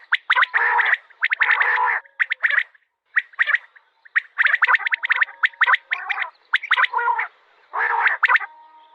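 A male Common Quail calls in quick liquid bursts of clipped, rattly notes, grouped and repeated about every second, with brief quiet gaps between.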